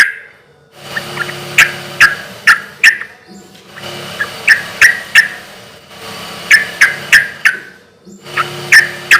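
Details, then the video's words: Sooty-headed bulbul in full, loud song with a relaxed rhythm, used as a lure for other bulbuls: three groups of short bright clipped notes, each burst of four to five notes, separated by brief pauses, with a low hum behind. "trucukan gacor suara keras irama santai sampai teler mantab buat pancingan trucuk agar cepat nyaut"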